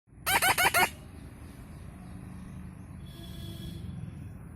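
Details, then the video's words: Baby red-breasted parakeet giving four harsh, harmonic-rich calls in quick succession within the first second, followed by a quiet background with faint hiss and a soft high rustle. "Moustache Parrot Natural Sounds"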